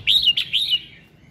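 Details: Morning song of a red-whiskered bulbul, played to get other birds singing: one loud, rich warbled phrase of three quick rising-and-falling notes, then fading.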